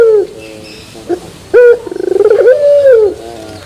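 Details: Puter pelung turtle dove, terasan bermetal style: soft low coo trailing off, a brief pause, then a loud abrupt note, a rapid pulsed stutter and a long sustained coo ending in a downward slide.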